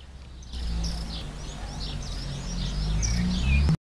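Thin, high-pitched chirps from a Bananaquit, repeated quickly over a few seconds, over a steady low rumble of wind or distant traffic.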